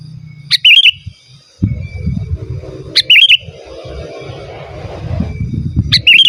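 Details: Sooty-headed bulbul calling, meant to answer and lure wild birds: a short bubbly warbled phrase repeated roughly every two and a half seconds, over low rumbling background noise and faint insects.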